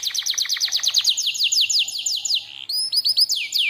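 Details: Canary singing as a lure and master tutor song: a rapid series of sharp descending whistled notes, about six per second, then a brief pause and higher, faster slurred notes sweeping downward.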